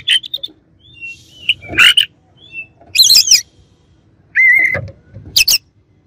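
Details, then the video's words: Oriental magpie-robin heard as a rival singer, giving varied loud phrases: high whistles, harsh broadband bursts and one sustained clear whistle, over a faint low rumble in the background. "KACER LAWAN AUTO EMOSI DENGER INI"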